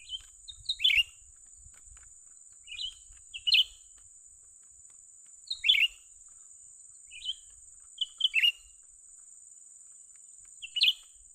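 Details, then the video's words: Young Grey-bellied Bulbul recorded during bird trapping: short chirpy two-note bursts, rising then dropping, given roughly every two to three seconds, over a steady high hiss and faint low rumbles. "memikat burung cucak ranting muda mantap"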